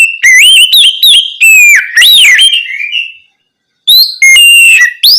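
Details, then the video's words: Oriental magpie-robin ngeplong song at night for prompting untrained birds to answer: clear ringing whistles with bending pitch, a trailing softer phrase, a pause of about half a second, then fresh sharp whistles. "Terapi Kacer ngeplong malam hari untuk pancingan Kacer bahan agar lekas nyaut bunyi"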